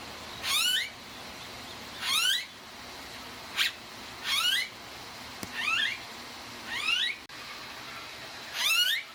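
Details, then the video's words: Blue-faced honeyeater in Australia giving harsh, rasping calls that rise in pitch, repeated roughly every one and a half to two seconds over a steady background hiss. "Blue-Faced Honeyeater Bird Call"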